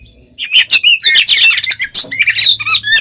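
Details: Oriental magpie-robin in aggressive fighting song intended to make other kacer respond: a harsh, crowded burst of scratchy squawks, squeaks and whistled trills with a low hum underneath.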